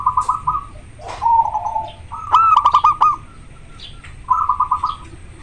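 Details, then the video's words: Zebra dove of local stock, in breeding condition, singing: short soft rolling coos, then a loud burst of sharp staccato notes running into a bubbling trill, and a final quieter pulsed coo. "Perkutut lokal gacor sangat jernih suara lokal alam manggung koar koar over birahi"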